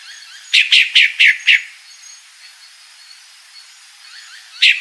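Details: A female pale-breasted thrush calls with a burst of five sharp, falling chip notes, then a single note begins another series; faint bird sounds behind.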